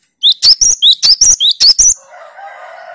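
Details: Cinereous tit (gelatik batu) in the 'tembakan' song style, used to train rival birds' nerve: nine loud, rapid, sharply upslurred whistled notes in under two seconds, followed by a lower, harmonic, drawn-out background sound.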